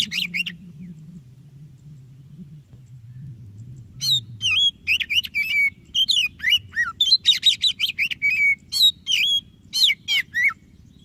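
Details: White-breasted Oriental magpie-robin song, offered as a lure for quiet magpie-robins: a brief phrase, several seconds of low hum, then a long lively run of rapid whistles, chatters and downslurred notes.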